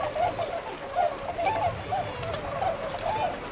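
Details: Flock of tundra swans wintering at a pond in Azumino, Nagano Prefecture, Japan, in February 2013, flying out to feed in nearby rice fields; clear nasal bugling whoops repeated several times a second, slightly rising, over soft background murmur.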